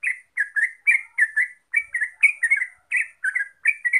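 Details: Terucuk, the Yellow-vented Bulbul, as a lure track to make birds sing: lively strings of short, gurgling chirps in pairs and triplets, fairly steady throughout with brief gaps.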